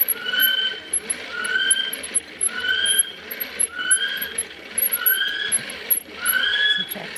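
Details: A male North Island brown kiwi call played back by a hand-cranked machine beside a bridge in the Bay of Plenty: a shrill, rising whistle about six times, roughly once a second, over mechanical ticking and low hum.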